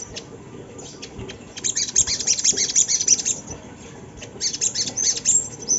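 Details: Sunda laughingthrush used as a lure for training other birds: a few sharp chirps, then a dense chattering run of high rapid notes, a short pause, and another burst of chatter against low background hum.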